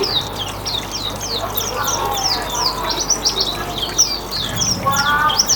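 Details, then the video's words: Hume's white-eye singing riwikan, a style used to lure other birds: fast, high, repeated downslurred chirps in an almost unbroken chatter, a short lower warbled phrase near the end, and faint background hum. "PANCINGAN RIWIKAN BURUNG AURIVENTER (MATA PUTIH)"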